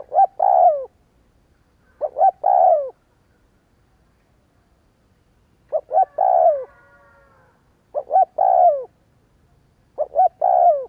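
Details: Repeated lure cooing by a spotted dove to set off other doves: five matching phrases, roughly every two seconds apart with one longer pause, each a couple of brief coos ending in a longer hoarse descending note.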